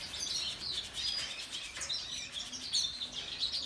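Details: Female and young siskins of different species in an outdoor aviary twitter in high, squeaky chirps and short buzzy notes, several birds calling over one another in a busy, irregular chorus.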